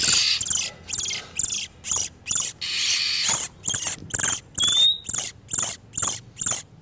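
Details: Male and female oriental magpie-robins in breeding condition, used to attract wild birds for capture: a long harsh buzzy stretch, then quick scratchy bursts and one brief upward whistle.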